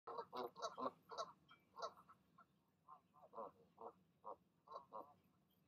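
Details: Goose parents in the evening, the mother calling her goslings down to leap from the nest: a run of nasal, harmonic honks, clustered quickly at first and then spaced about half a second apart.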